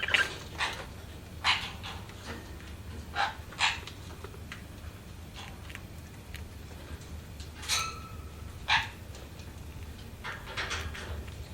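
A budgerigar gives short, harsh chirps at irregular intervals over a low steady hum.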